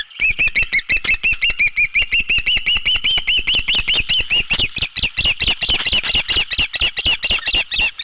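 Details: Osprey at a treetop nest overlooking Skidaway Island, Savannah, Georgia, on the morning of 16 June 2021, when the younger chick fledged at 61 days; a steady, rapid run of high, clear chirped whistles, about five a second, sustained throughout.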